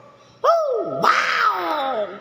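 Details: Common hill myna giving a loud harmonic call: a sharp rising note that dips low, then a bright, buzzy, wavering tone that slowly slides downward, with people exclaiming in Indonesian nearby.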